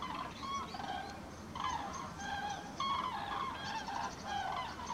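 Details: Flock of migrating common cranes passing over Halle, Westphalia, Germany, 5 March 2018. Overlapping resonant, honking trumpet calls rise and fall, with short loud bursts every second or so and louder calls near the end.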